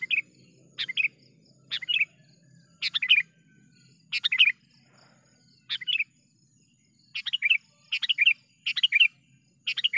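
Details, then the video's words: Trapping lure call of a sooty-headed bulbul, lively repeated chirps and bubbly two-part phrases coming faster and overlapping toward the end, roughly ten phrases; steady high hum behind. "BURUNG KUTILANG gacor dengan suara panggilan pikat kutilang / panggilan burung kutilang pikat"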